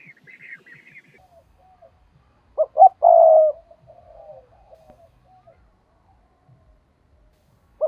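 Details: Decoy spotted dove calling to draw wild doves, 'giọng thổ' voice; after a quiet start with faint high chirps, one clear phrase of two short coos and a longer drawn coo, then soft murmuring notes and a last coo.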